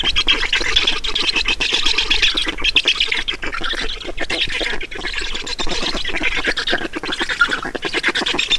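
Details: Feeding at a black stork nest in Estonia, 5 June 2019, 16:28: insistent rasping squawks repeated rapidly in a nonstop chorus, shrill and hissing, with slight swells in loudness.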